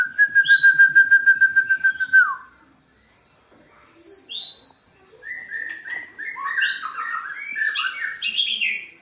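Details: White-rumped shama in full song, played as therapy to get other shamas singing: a fast, even trill held about two seconds and ending in a downward slur, then a pause and a run of bright, varied whistled phrases climbing higher and denser.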